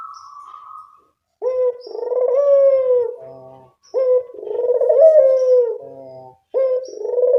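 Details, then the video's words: Barbary dove lure audio for attracting birds: a brief steady tone, then repeated low coos, each a clipped opening note and a long quavering purr that slides down, recurring about every two and a half seconds. "Pancingan burung puter"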